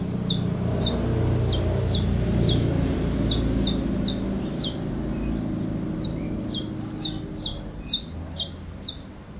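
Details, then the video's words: Saffron finch producing a long run of crisp, high, downslurred chirps, loosely grouped and repeated around twice per second, with a low rumbling background throughout. "Canario da terra"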